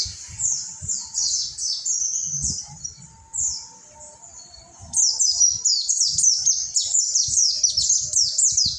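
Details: Monty white-eye, a caged bird kept for song training, singing fast high-pitched chattering phrases of slurred descending notes in long bursts, a brief pause near mid-clip, then a denser run; soft low thumps underneath.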